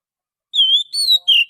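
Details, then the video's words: Oriental magpie-robin lure song from the wild: three drawn-out clear whistles, the first level, the second slightly higher, the third dropping, each separated by brief gaps. "suara pikat burung Kacer asli hutan,suara pancingan kacer"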